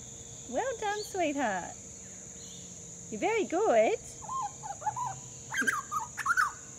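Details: Young Grey Butcherbird fledgling from an Australian family, learning its calls: looping warbled phrases that rise and fall, repeated twice, then quieter wavering notes and a burst of sharp high chirps; a constant hum sits in the background.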